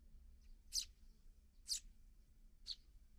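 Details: Sparrow fledglings just left the nest, fed by parents: loud, piercing high chirps about once a second, with faint softer chirps between, over low hum.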